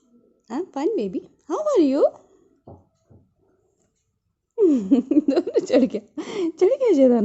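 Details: Pet talking parrot indoors mimicking human words such as "hello" and "how are you": short voiced phrases with wavering pitch in two bursts, separated by a few seconds of near silence.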